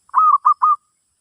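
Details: Zebra dove song played while teaching a new bird: three clear, low coos, the first long and steady, the next two shorter, all within under a second, with no other sounds.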